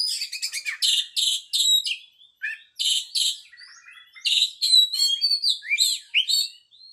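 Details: Long, varied Oriental magpie-robin song: bursts of rapid harsh chatter alternate with whistled slurs, mimic-like twitters and upward-sweeping notes, with no other sounds.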